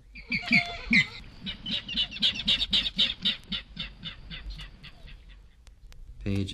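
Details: King Rail from a 1961 eastern/central North American bird-song guide gives a run of harsh, grunting kek notes, about four per second, that gradually slow and fade; a voice begins speaking at the end.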